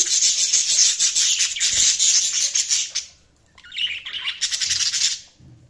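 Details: Dense, continuous budgerigar chatter of scratchy high chirps for three seconds, a brief pause, then more warbling notes.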